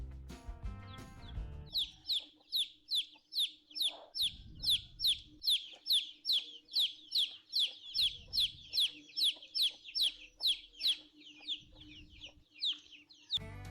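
Chickens give a rapid run of high, thin, downslurred peeps, more than two per second, like young chicks. A low steady hum runs underneath, with brief low rumbles.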